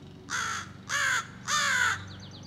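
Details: Young American crow rehearsing scolding and territorial calls with three long rasping caws in a row, followed by faint high chirps of a small bird, over a low hum.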